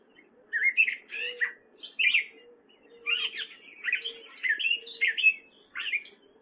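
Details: Gray catbird, a male, singing in spring in Fairfield, Iowa: a varied run of squeaky, scratchy phrases and short mewing notes, broken by brief pauses, with a low steady hum behind.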